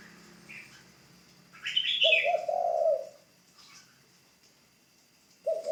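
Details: After a short, high chirping phrase from another bird, a spotted dove kept as a ground decoy in training delivers one low, burry coo, and another coo begins at the close.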